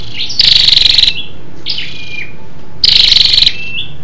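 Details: Scarlet-backed flowerpecker female giving a lure call to excite males: two loud, dense, buzzy rattles over about four seconds, separated by faint thin descending whistles.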